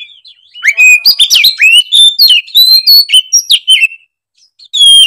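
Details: Kacer, the oriental magpie-robin, in full emotional gacor song showing off its isian: a continuous three-second run of loud whistled slurs, rising and falling notes and sharp clicks, a short pause, then another loud phrase begins.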